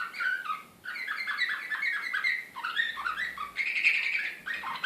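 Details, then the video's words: Excited canary in slavujar style from Belgrade, 2016. Fast chirping tours run into a dense, bright trill, broken by a short gap near the first second. "SLAVUJAR SRPSKI BEOGRAD 2016"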